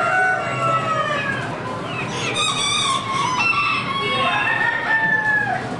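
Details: Crowd of assorted chickens at the Lorain County Fair, with roosters giving long, wavering crows one after another over a steady background of clucking and cackling hens.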